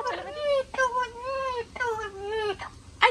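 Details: Pet Amazon parrot indoors, crying because it does not want to be bathed: drawn-out, wailing harmonic tones in three long bends, each held about half a second to a second, ending with a short sharp squawk.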